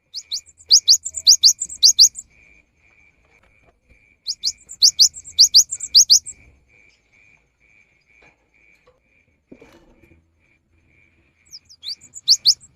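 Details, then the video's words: Lively cinereous tit used as a rainy-season lure, singing three phrases of quick high rising notes, each phrase about two seconds long with several seconds of quiet between, over a faint constant hum. "GELATIK BATU GACOR | PANCINGAN AMPUH SAAT MUSIM HUJAN"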